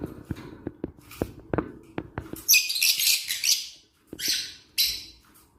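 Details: Aviary lovebirds chattering in loud, shrill, squawky chirp bursts, after a stretch of soft rhythmic clicks and taps, with a brief pause before more harsh screeching notes.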